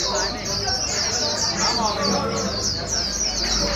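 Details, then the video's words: Wild-caught white-eye being pushed to sing quickly: dense, high, twittering notes in an unbroken rapid series, with low rumbling background voices beneath. "Kích chim vành khuyên bổi mau líu"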